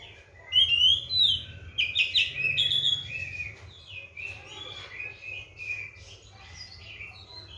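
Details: Kept Oriental magpie-robin, given seven crickets and a routine morning and evening bath, in lively song: loud bright whistles and quick sliding phrases at first, then softer, scratchier chattering notes, with a faint low hum behind.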